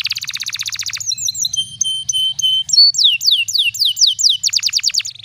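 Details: Special-cengkok canary pancingan, a tutoring song for young canaries: fast buzzy trill, then thin steady whistles and chirps, followed by a string of loud downslurred notes and a quick closing rattle.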